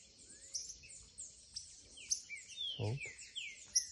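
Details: A young green-winged saltator sings a "curricutil"-type song, a busy run of high, sliding chirps and short whistled sweeps, with other twittering and a brief low thump.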